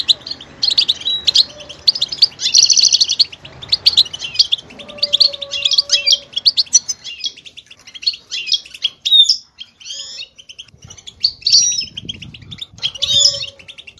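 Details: Goldfinch song switching between sounds: a buzzy rattle, rapid twitters, sharp rising chirps and short whistled notes, with quieter gaps late on.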